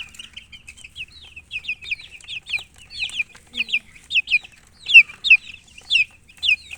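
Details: Baby chickens chirping: a steady stream of high, falling peeps from several chicks, swelling into louder, clearer cheeps in the middle and later seconds.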